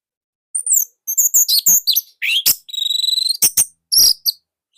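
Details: Orange-headed thrush from Indonesia, singing loud and nonstop. Rapid high chips and slurred notes run into a steady, buzzy trill, then end in sharp ticking notes.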